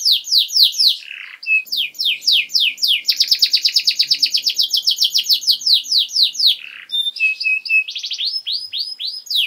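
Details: Canary tutor song for young birds, made of quick descending sweeps, a long fast rattle of repeated notes, then more swept whistles and short flat tones, with faint low background hum.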